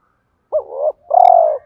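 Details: Spotted dove cooing in the 'thúc gù' style, used to prompt caged birds to call: a rising-then-level coo, a brief pause, then a longer, louder steady coo that falls away at the end; faint click heard midway.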